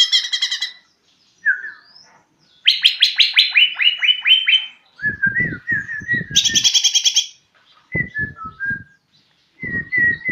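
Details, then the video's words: A greater green leafbird learning its song practises harsh chattering bursts, a quick falling run of notes and short clear whistles, over low dull tapping. "Cucak ijo belajar bunyi"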